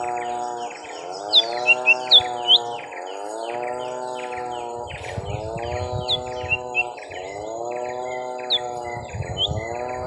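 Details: Lesser green leafbirds, young birds in a long fight, first round: rapid runs of high chirps and slurred whistles, thick early on and then scattered, set against a constant droning hum that dips and rises in regular waves.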